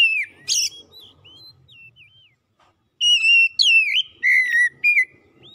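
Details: Song of an Oriental magpie-robin meant to coax a non-singing bird: soft wavering whistles fading out, a short silence, then loud level and downslurred whistles with high piercing notes.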